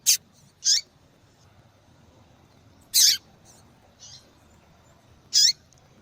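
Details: Female yellow-bellied seedeater calling repeatedly to excite the male: loud high chips and slurred down-sweeping notes in pairs, spaced a couple of seconds apart, with one faint softer note, low steady hiss behind.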